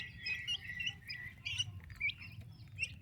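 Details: Active turkey chicks kept with their mother: dense, shrill chirps tumbling over each other in bursts, with a rumbling low hum underneath.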